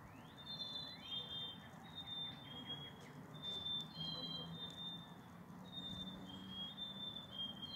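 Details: A group of black-capped chickadees singing to each other: clear whistled tonal notes, each held briefly then dropping in pitch, given by several birds in overlapping turns throughout, over a steady low rumble.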